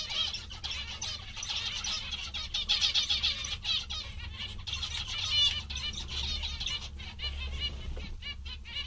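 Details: A lively group of contented zebra finches keeps up dense, overlapping nasal chirping for most of the stretch, with sharp clicks near the end and low hum.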